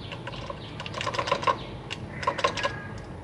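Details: Zebra finch parents feeding newly hatched babies in a big cage; rapid series of short nasal pulsed notes, repeated in quick bursts, with clicking and a low background hum.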